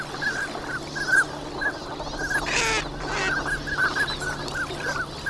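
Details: Wintering migrant ducks in a large flock at Nagahama, Lake Inawashiro, Japan, on a fine winter morning. Short nasal call notes repeat throughout over a low steady hum, with a brief rushing burst of splashing or wingbeats midway.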